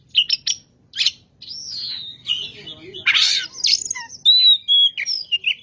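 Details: White-rumped shama singing as a lure song for other shamas, with sharp chip notes, rich varied phrases and a harsh burst, then long clear whistles and quick twittering ends.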